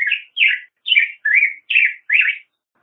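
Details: Black-headed grosbeak song: six slurred, robin-like whistled syllables delivered evenly about every third of a second, each note sweeping up then down, with a quiet background.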